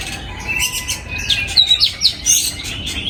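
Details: An oriental magpie-robin in a breeding aviary, 2022, giving a fairly soft run of quick, high, slurred whistles that grow louder midway, set against a quiet background.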